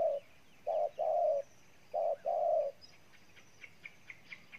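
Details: Intense cooing from a wild-caught spotted dove: two phrases, each a short coo followed by a longer, deep coo. Quiet high chirps follow.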